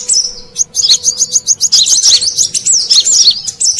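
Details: Brown-throated sunbird call played as a lure for wild birds: one thin note, then a quick train of sharp, high chips and swooping twitters running to the end.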